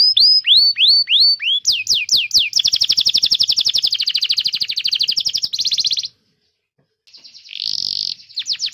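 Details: Canary used as a master song for training young canaries and birds that have stopped singing; a run of rising whistled swoops gives way to fast rapid trills and buzzy rolls, a brief pause, then more trilled phrases.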